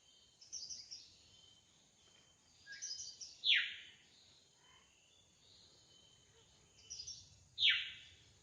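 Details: Drongo singing in the wild: soft high chatter leading each time into a loud, steeply falling whistle, the phrase repeated twice roughly four seconds apart.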